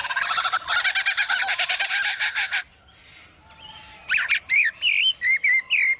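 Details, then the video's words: Male lyrebird mimicking a chainsaw heard in the forest, trying to outsing rivals and draw females: rapid, harsh rasping for over two seconds, a pause, then loud, ringing whistled notes swooping up and down. "Lyrebird repeats sounds it hears in forest (Chainsaw)"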